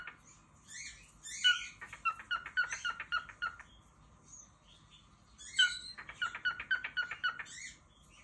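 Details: Pet cockatiel singing indoors when its owner urges it to sing. It gives a sweeping whistle followed by a rapid run of about seven even, repeated notes, and the whole phrase is given twice.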